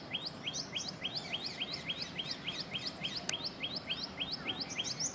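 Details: Common tailorbird from South or Southeast Asian parks and gardens calling in a fast series of sharp rising whistled notes, roughly three per second, with a second bird's notes overlapping and a single click midway.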